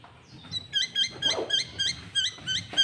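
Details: Lure recording of a sooty-headed bulbul singing actively to draw in and challenge other bulbuls: sharp, high chirped notes with bright overtones, repeated steadily about four times a second over faint background hum.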